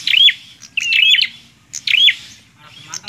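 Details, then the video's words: Bar-winged prinia delivering quick chirpy phrases, a whistled note bending upward then looping, three bursts in three seconds over a low rumbling background hum. "PRENJAK KLAWU GACORR"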